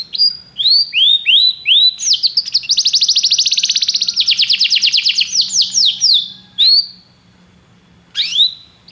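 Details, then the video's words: Canary song played to prompt another canary to sing: rising whistled sweeps, then a fast buzzy trill near the middle, then more upswept whistled notes with short pauses near the end. "Seu canário cantou imediatamente depois de ouvir este canário"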